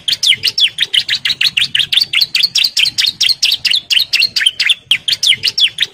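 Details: Bar-winged prinia, a breeding-condition male calling to females, in a long unbroken outpouring of quick, sharp chirps. The notes repeat steadily at a brisk pace and carry a slight downward twist.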